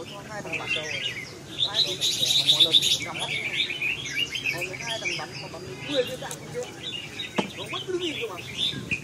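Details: Red-whiskered bulbuls chirp rapidly and unevenly, with high, sharp warbled notes crowding together, loudest around the second and third seconds; human voices murmur underneath throughout.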